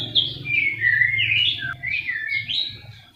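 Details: Brief burst of white-rumped shama song: rapid, bright whistled flourishes rising and falling, over a constant low hum.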